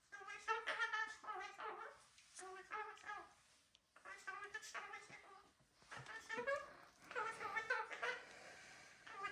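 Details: Captive cockatoos kept as pets (Gang-gang, Red-tailed black and Major Mitchell's) produce rapid runs of short, nasal, harmonic syllables. The chattering bursts are broken by brief gaps and sound almost like talking in a small room.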